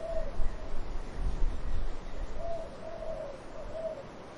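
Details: Dove cooing among trees with wind: soft, low hooting coos, a short one at the start, then a run of three drawn-out notes about two seconds later, over a steady rumble of wind.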